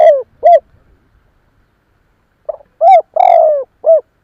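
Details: Spotted dove luring other doves: the end of one cooing phrase, then after a gap a full phrase of short coos, a long trilled coo and a final dropping note.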